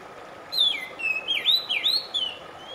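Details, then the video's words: Song of an Oriental magpie-robin, used to soothe stressed birds and coax them to sing: after a quiet start, a sequence of clear looping whistles, downslurs and rising notes, with a faint steady hum behind. "RELAKSASI AMPUH KACER SETRES MACET TOTAL CEPAT BUNYI"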